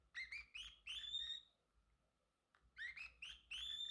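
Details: Male Pacific parrotlet kept as a pet, chirping: two bursts of three or four bright, rising chirps, each ending in a thin sustained whistle, with a short quiet gap between the bursts.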